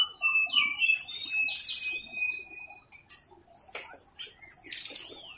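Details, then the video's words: Orange-headed thrush singing in the teler style, as on a masteran tutor recording: varied clear whistles that slide down, then high sweeping notes, with a brief pause near the middle before bright rising phrases resume. "MASTERAN ANIS MERAH TELER"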